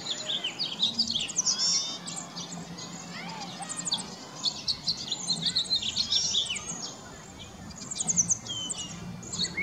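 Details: A flock of around 35 Cedar Waxwings perched in a bare tree while searching for scarce berries gives thin, very high, lisping trills and whistles in overlapping bursts over a faint low hum.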